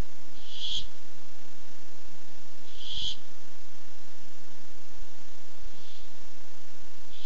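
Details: Webcam recording of a barn owl looking for food, 8-7-15: two loud hissing screeches about two seconds apart, followed by fainter ones, with a low hum throughout.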